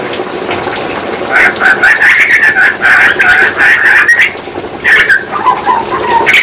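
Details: Grey butcherbird, a species endemic to Australia, singing: a run of clear whistled notes at steady pitch, a brief pause, then a short descending phrase, all over a constant hiss of background noise.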